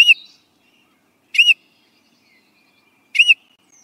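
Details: Baltimore Oriole song: three short, clear, rich whistled notes, each gently arched in pitch, spaced about one and a half to two seconds apart against a silent background.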